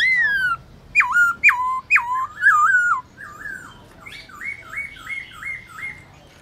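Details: A caged black-throated laughingthrush (Garrulax chinensis) sings its forest voice at midday: a falling whistle, a burst of short looping notes, then a softer series of six rolling wavy whistles repeated about once a second.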